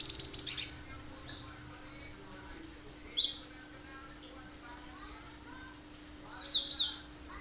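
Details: Cinereous tit (gelatik batu) singing sharp 'tembakan' phrases as bait to set other birds singing: rapid stutter of high notes, then two further bursts of paired piercing whistles a few seconds apart, with faint low chatter behind.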